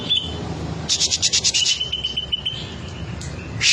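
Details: Green leafbird showing off its song material: a rapid string of harsh, rasping pulses, then one long, even whistle held for nearly a second, ending in another harsh burst, over a low hum.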